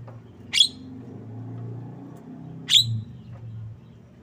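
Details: Javan myna giving two short, harsh, broadband chirps about two seconds apart, over a steady low hum in the background.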